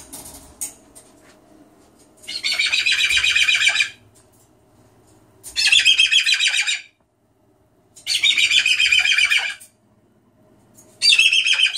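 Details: Pet cockatoo screaming again indoors after being egged on by its owner: four long, raspy, noisy screeches, each lasting about one and a half seconds, separated by short gaps, over a faint low hum.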